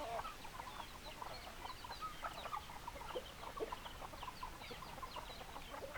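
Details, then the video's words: Chickens, hens and roosters together, keep up busy clucking: many short clipped notes crowd together, a few sharper squeaky calls stand out, and the chatter never stops over a soft background. "Chicken Sounds Noises Hens Clucking Roosters Crowing"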